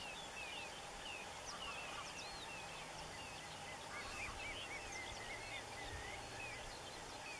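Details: Several western yellow wagtails, just returned from Africa, at a shallow pool rest site in northern Germany on 24 April 2015, give thin, high, slurred tsweep calls, overlapping, over a steady low rumble; finding: western yellow wagtail.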